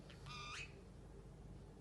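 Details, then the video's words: A male pet Pacific parrotlet, coaxed by its owner to talk, gives one brief, bright, harmonic squawk lasting under half a second, over a low room hum. "Saying… Give me kiss..picaboo..Tickle Tickle..😍Pacific parrotlet"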